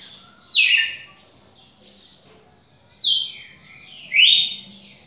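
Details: Red-cowled cardinal described as a champion singer, giving three loud whistled phrases, each a bright note sliding from high to lower pitch, separated by pauses of over a second over a faint low hum.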